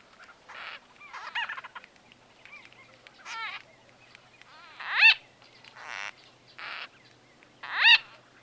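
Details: White-fronted bee-eaters in close conversation, recording date unknown: short rolling buzzy chirps and trills in scattered bursts, with two louder sharp downward-swept notes near the end.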